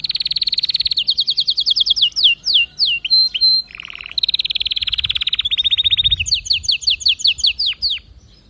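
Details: Canary delivering a continuous song of fast high trills, each phrase a run of repeated notes, mixed with down-slurred sweeps, short flat whistles and a lower buzzy roll near the middle.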